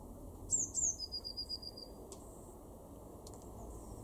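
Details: Garden Eurasian blue tit recorded in March 2024 at Weener, East Frisia, northwestern Germany, giving two sharp high-pitched slurred notes then a fast, lower trilled run, followed by a few faint clicks in a quiet setting.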